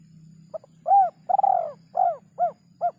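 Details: Spotted dove cooing its three-note call: soft, mellow, arched coos, some longer and drawn out, others short, delivered in a loose series over a steady low background hum.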